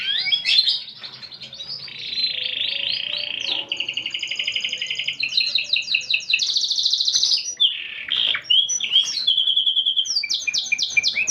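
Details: Canary song in a unique cengkok (song phrasing): varied sections of fast rattling trills, a steady buzzy roll, pulsing repeated notes and bright whistled slurs, changing tempo every couple of seconds without pause.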